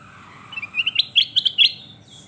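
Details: Kutilang emas (sooty-headed bulbul) in lively song: a rapid run of about eight bright, chirpy whistles rising in pitch, ending abruptly, with a faint low background rumble.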